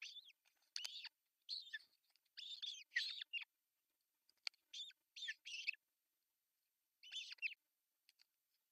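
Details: Osprey at an artificial nest in Pohjois Satakunta, Finland, on June 10, 2024, as the male brings a big fish for breakfast; series of high, rising-falling squealing whistles in short bursts, repeated irregularly with brief gaps.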